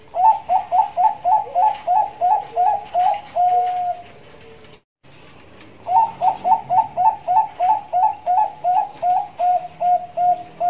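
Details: Bangkok-type zebra dove singing in the nduduk ngitit style, used as a lure and training recording: two bursts of quick, bubbling mid-pitched coos, each run ending in a longer drawn-out note, separated by a short silence.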